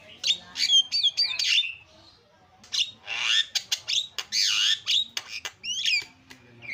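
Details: A Javan myna sings a loud, varied string of harsh squawks, rasps and sliding whistles in bursts with brief pauses, used as a lure recording to get a silent myna singing again.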